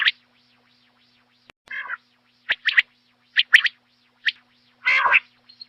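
A quail gives short, harsh, raspy notes in an irregular series, about seven bursts in six seconds, with faint echo-like traces between them.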